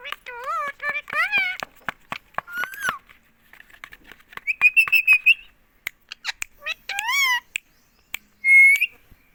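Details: Green rose-ringed parakeet in India talking nonstop, saying "mummy": several bursts of rich, wavering word-like calls broken by clicks, a rapid series of bright chirps midway, and a final high, steady whistled note.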